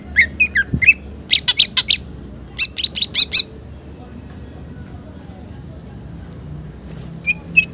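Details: Green leafbird 'isian' song, for bait and master training. Bursts of harsh, fast high chips alternate with short whistles for about three and a half seconds, then a quiet stretch with a few faint notes near the end.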